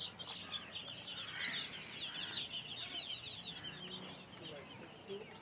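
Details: Many baby chicks keep up a steady high peeping chorus, the cheeps crowding together with small louder bursts, while soft rustling sounds beneath.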